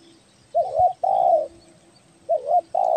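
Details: Spotted dove (tekukur belah dada, Kepri) used as a lure bird: two phrases, each a quick doubled coo followed by a sustained mellow coo, with a faint steady hum behind.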